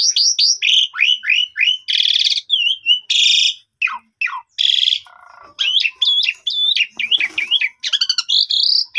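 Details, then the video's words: Asian pied starling lure song meant to boost a caged bird's mettle and set it singing fully: rapid series of looping whistled notes, dense buzzy bursts, falling slurs and a wavering, zigzagging whistled passage near the end. "Pancingan Jalak suren Efektif Untuk Menaikan Mental Jalak Suren Agar Bongkar Isian"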